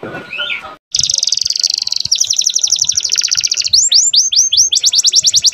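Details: Canary song used to bring female canaries into breeding condition and as a model for young birds: after brief murmuring noise, a fast high trill, a rippling chirp sequence, then repeated descending whistles.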